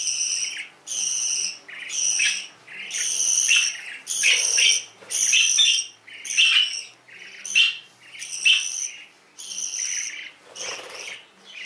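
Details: Canaries, described as exotic birds: rasping, broad high-pitched notes repeated about once a second in a steady rhythm, each note lasting around half a second, over a quiet background.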